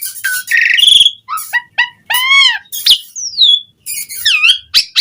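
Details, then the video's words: Asian pied starling singing in lively, full song, played as a lure to make other starlings sing: varied pure whistles, rising and falling slurs and looping notes in short bursts with brief pauses. "Suara Jalak Suren Gacor Langsung Ampuh bikin Bunyi buat Pancingan Burung Jalak Agar Gacor Full Isian"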